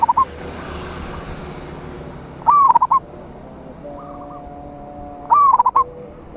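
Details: Local zebra dove singing loudly to call opponents: three phrases about three seconds apart, each a curved coo and quick stuttered ending, with fainter cooing from another dove in between.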